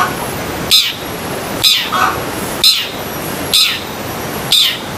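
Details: Sharp, high single notes from a long-tailed shrike, repeated about once a second in a steady series of five, with a faint high whine behind; sung in isian sekebun style for training pet birds.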